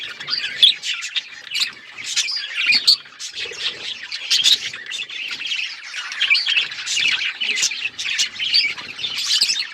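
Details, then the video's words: Budgies twittering in a lively chorus of high chirps, squeaky whistles and buzzy warbles, with several birds overlapping and louder peaks scattered through. "Budgies relaxing sounds Birds chirping sounds"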